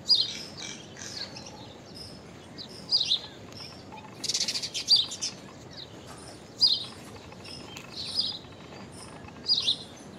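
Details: Common myna, native to Asia and common in cities, repeating short squeaky chirps every second or two, with a loud harsh rattling burst near the middle, outdoors with faint background noise.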